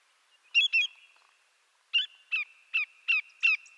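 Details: Greater yellowlegs, a large North American shorebird, calls with loud, clear downslurred whistled notes: a quick pair, a pause, then five evenly spaced notes about every half second, over a steady thin high tone.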